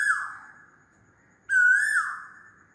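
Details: A loud Asian koel call: a piercing whistle that begins abruptly, climbs, and trails off, following the fading end of an earlier note.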